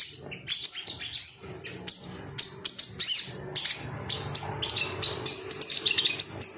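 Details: Male Ruby-cheeked sunbird, worked up and seeking rivals, in a training recording for song birds: scattered high, sharp chirps and short twittering bursts, growing more rapid and crowded in the second half.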